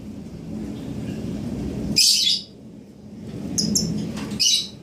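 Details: A lovebird chick aged seven days makes a loud, high, scratchy chirp, then after a pause a few more short sharp chirps, with steady low rumbling noise underneath.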